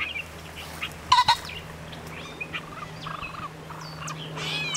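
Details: Male pheasant cackling from brush after chasing a person and flying into cover. One loud, harsh call around the first second stands out above scattered chirps of other small birds and a low steady hum.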